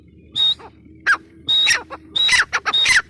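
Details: Female grey francolin, known locally as Irani teetar: loud harsh grating notes, some carrying a sharp high whistle, in separate bursts with short pauses between them and a low faint hum beneath.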